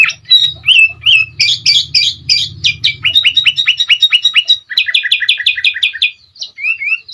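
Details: Kutilang, the sooty-headed bulbul, in energetic song meant as a tutor recording for other cage birds: quick series of bright, descending whistled phrases and chattery notes, fast repeated bursts, a low hum early on.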